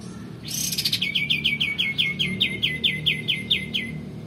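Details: Actively singing male white-eared bulbul, used as a tutor recording for magpie robins and shamas. A brief buzzy burst opens, then a rapid run of about fifteen high, clipped notes repeated a little over twice per second.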